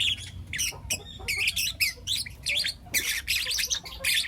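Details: Morning chirping from four young lutino lovebirds: rapid, scratchy high squawks and chirps in dense clusters, with brief pauses between bursts.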